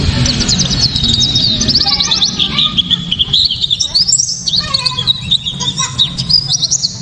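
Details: Loud, sharp 'tembakan' song of a white-eye, used to provoke other white-eyes into singing and to tutor songbirds. Continuous dense chatter of quick high chirps and trills that slide up and down, with a steady low rumble beneath.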